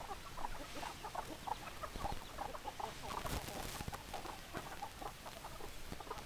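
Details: Chickens give short clucks repeated almost rhythmically, roughly two or three a second, with occasional louder bursts. Faint murmuring and low background noise sit beneath the flock.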